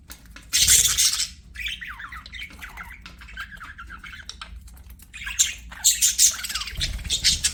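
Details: Budgies at play: loud harsh squawks open the clip, then a softer warbling stretch of chirps follows, and more squawking bursts come near the end.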